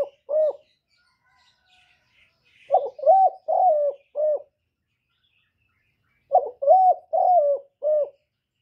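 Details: Spotted dove song: two bursts of four low mellow coos each, a short lead note followed by longer rounded coos, with a pause of about two seconds between bursts. The setting is otherwise quiet.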